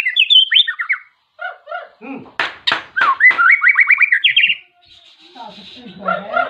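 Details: A white-rumped shama calls out a rival, its song used to goad other shamas into singing; fast whistled notes, sharp broadband clicks, a rapid descending trill, a brief pause, then softer chattering phrases.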